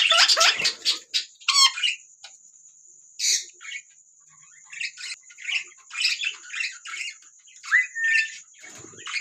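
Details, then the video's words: Ringneck parrots: bursts of harsh, shrill squawks and fast chirps, some rising, arriving in irregular clusters, over a steady high-pitched whine throughout. "Taking Parrots Natural sound | Beautiful Birds chirping sound"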